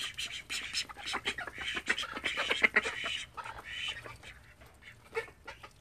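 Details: Several call ducks from a household flock of thirteen chattering together in quick, overlapping quacks and short nasal notes, busy and irregular, fading toward the end.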